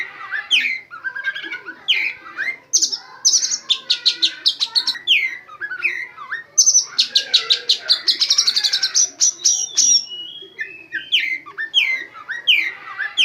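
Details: Oriental magpie-robin, a caged training bird loaded with white-rumped shama phrases, sings loud varied song: downslurred whistles, then rapid bursts of high ringing notes near two seconds and again near seven, followed by more swooping whistles.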